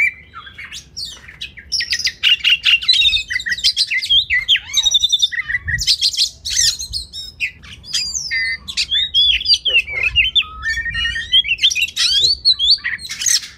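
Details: Oriental magpie-robin masteran for training competition birds: long, energetic kacer song mixing harsh squawks, chattering trills and sweet whistles, packed tightly together with sudden jumps in pitch and loudness.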